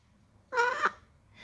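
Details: Young pet African grey parrot saying hi: a single harmonic, voice-like syllable of under half a second with a slight rise at the end, followed by a faint softer sound, with repeated greetings spoken around it.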